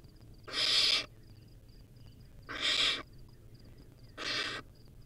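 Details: Barn owl owlet, wild, filmed at its nest while eating a rodent, gives three long rasping hisses separated by pauses of over a second.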